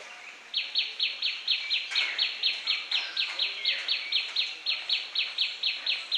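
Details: Tailorbird call: a loud, sharp, repeated chirp, each note rising then dropping quickly, given about twice a second in a long even series, with faint background noise and a brief clatter near the start.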